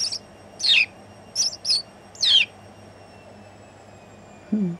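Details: House sparrow sitting on a conservation board member's shoulder, Netherlands, 1 January 2016: a cluster of four or five shrill, downslurred chirps, then quiet, ending with a brief low murmur.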